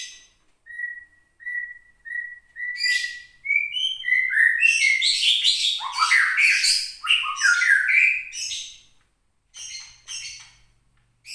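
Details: Caged white-rumped shama of Gunung Leuser origin, Aceh, roused to angry singing by contest recordings. Opens with spaced short whistles, then bursts into a fast, dense run of sweeping, chattering notes before trailing off.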